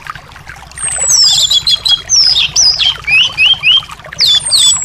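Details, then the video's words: Anis thrush singing to encourage a bird reluctant to sing: a fast, bright sequence of swooping whistled notes that jump and slide, plus high thin whistles, over a faint hiss. "terapi anis males bunyi/anis macet"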